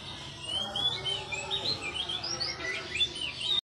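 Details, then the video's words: Oriental magpie-robin (kacer) giving its relaxed, insistent "ngeplong" song, phone-recorded as lure material for young kacer: varied rapid whistled and twittering notes, rising and falling, over constant low background noise. "suara Kacer ngeplog Ngotot santai"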